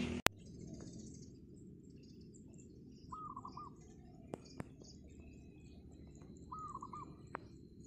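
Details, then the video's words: Wild zebra dove singing vigorously on a rooftop in the morning: two short, rolling, trilled coo phrases about three and a half seconds apart over a quiet low hum, with a few sharp clicks. "GACOR!!! PERKUTUT LIAR DI ATAS GENTENG"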